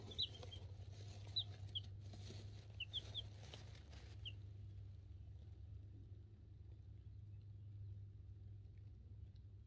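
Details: Two-week-old chicks of mixed breeds (cream crested legbar, buff orpington, black sexlink, partridge silkies) in a brooder, recorded on a cell phone: a handful of short, thin, high peeps scattered through the first four seconds over a steady low hum.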